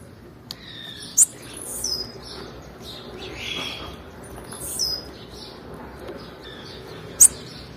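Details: Blue-black grassquit female call, used to stimulate males: a few isolated, very high, thin, sharp chirps spaced several seconds apart, with faint short twitters between them, over a quiet background hiss.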